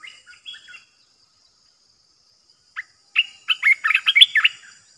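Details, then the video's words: Olive-winged bulbul decoy bird used for trapping: a few soft chirps, a long pause, then a lively burst of quick bubbling, slurred notes rising and falling. There is a faint steady high hiss behind. "เสียงต่อนกกรงตาแดงEp.15 นกต่อจ้าวหยก เสียงชัดดอกเน้นๆ Burung merbah belukar"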